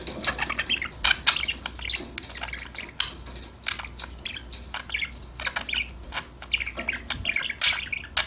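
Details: Several budgies chattering and singing together make many quick, clicky chirps and short warbles packed closely, with a constant background twitter and no clear pauses.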